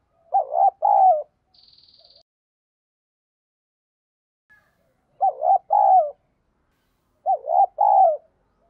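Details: Spotted dove calling coo, 'giọng đồng' urging style, used for training decoy birds: three short phrases, each two soft hoots, spaced about three seconds apart, with a brief faint buzz after the first.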